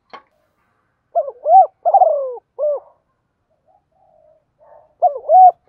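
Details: Spotted dove calling and urging in the Thổ pha đồng voice style: a few loud, hoarse coos, each dipping then rising, repeated in short bursts with a pause, then another coo phrase. Quiet background.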